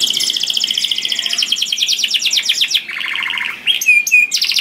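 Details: Canary song used to lure other canaries, loud and melodious: fast high trills of repeated notes, then a lower buzzy rattling phrase, followed by sharp whistled notes and a return to rapid high trilling.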